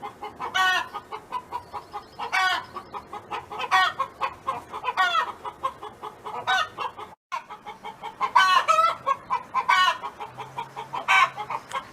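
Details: Farm hen kept by a neighbor sings steady rapid clucks with drawn-out squawks every one to two seconds, a brief dropout midway, several birds present.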